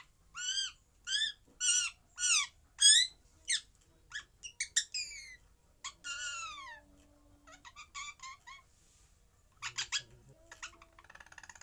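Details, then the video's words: Parrot making a string of loud arched squawks repeated about every half second, then softer twittering notes, a descending whistled call and scattered short chips with quiet gaps. "Parrot Sounds"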